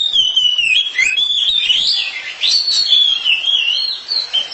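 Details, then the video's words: Pair of Oriental magpie-robins competing in song: loud, fluid whistled phrases glide and waver, mixing clear notes with fast warbles without stopping. "Sepasang kacer sedang beradu kicauan"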